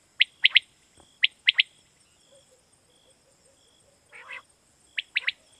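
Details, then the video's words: Quail call used as a night-hunting lure in Pakistan: triplets of sharp high chirps about once a second, one longer harsh buzzy note between, a thin steady tone in the background. "Batair Kirak batair ki Awaz For Night Hunting"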